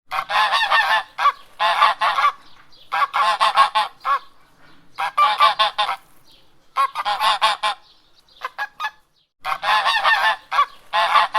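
Domestic geese give loud, harsh, nasal honks in quick bursts of several notes, with brief pauses between the outbursts.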